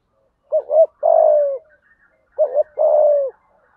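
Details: Spotted dove giving a 'thúc gù' urging coo in the 'giọng thổ' voice, meant to spur other doves to call: two low cooing phrases, each a short double note then a longer falling coo, in quiet surroundings.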